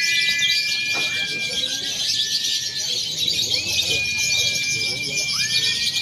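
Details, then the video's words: Contest-training recording of lovebirds in a free-action simulation blending konslet, fighter and paud styles: a constant wall of sharp, high chattering trills, with level whistled tones that drop away and return, plus occasional rising slurred notes. "SIMULASI LOMBA LOVEBIRD BEBAS AKSI (KONSLET, FIHGTER, PAUD)"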